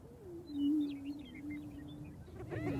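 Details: Male greater prairie chickens displaying on a spring lek on North American prairie to attract females: a low, hollow, moaning boom held about two seconds with a slight dip, faint higher cackling notes overhead, then a noisy burst.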